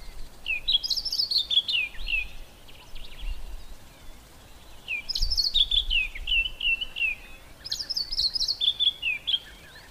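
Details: White-browed scrub robin singing its highly repetitive song from inside a bush. Three clear phrases of bright, quick whistled notes tumble downward, each about two seconds long, with short pauses between them and faint background hiss.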